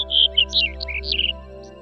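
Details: Black-headed bunting, a melodious bird that nests in vineyards, in the Ezousa Valley, Paphos, Cyprus, a NATURA 2000 protected area. It gives a quick, high phrase of bright chirps sliding into a short warble over soft music.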